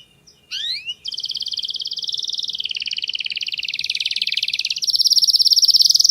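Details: Canary master song with a clear voice. A few rising whistled slurs open into a long, rolling trill of rapid, even notes that holds steady and then jumps higher and louder near the end. A faint low hum sits underneath.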